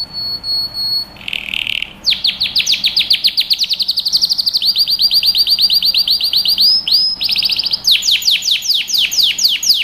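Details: Canary training song: a loud, fast run of high rolling trills, a brief lower buzzy phrase after one second, then long series of rapid repeated rising notes and tight tours continuing without pause.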